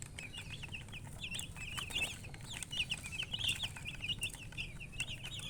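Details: A crowd of chicks chirping in a dense, jittery chorus of high peeps, with soft clicks and a low steady hum underneath.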